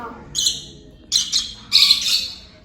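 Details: Pet African lovebirds respond to their owner's whistled flight call with three sharp, shrill squawks in quick bursts.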